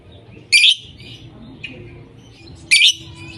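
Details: Lovebirds calling: two loud, grating, shrill squawks about two seconds apart, with softer twittering notes between them.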